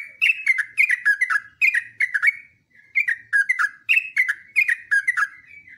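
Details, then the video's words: Yellow-vented bulbul, a long continuous song meant as a training recording for other birds: bubbly, liquid whistled phrases falling and rising, delivered in quick bursts of four to six notes with brief pauses between groups. "TRUCUKAN GACOR ROPELAN PANJANG"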